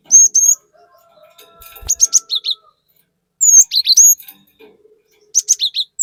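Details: ['Cinereous tit, a chatty lure recording for stirring up other birds, gives bursts of high, sharp whistled notes. The notes slur and dip in short phrases of three to five, separated by silent gaps of about two seconds.']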